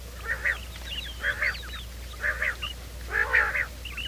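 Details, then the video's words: Morning calling of quail, meant to draw the birds in for trapping: grating, buzzy notes repeated roughly once a second at moderate volume, with thin high squeaks and chirps scattered around them. "Bater ki awaaz"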